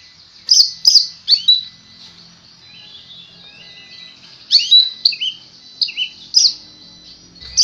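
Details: Caged oriental magpie-robin (kacer) in full song, kept for singing contests: loud sharp whistled notes near the top of its range in bursts, a quieter run of rising chirps in between, then another string of bright notes.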